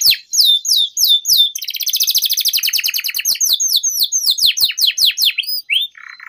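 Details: Canary in long continuous song, used to lure and tutor young canaries: repeated falling whistles, a dense rattling trill, then a chain of slurred downsweeps and a short rising note before a soft buzz.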